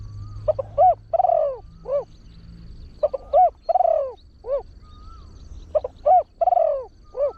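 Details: Lure spotted dove, a trained bird with a deep voice, crowing fast with one 'kuk' toss. Three cooing phrases about every three seconds, each of quick paired hoots, a long wavering coo and a final short hoot, with a faint high whine.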